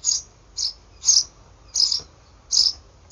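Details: Eurasian tree sparrow chicks in a nest, three or four siblings, 28 May 2019, heard through a monitor filmed with a digital camera. High, bright chirps repeat about every half second, and the background is quiet.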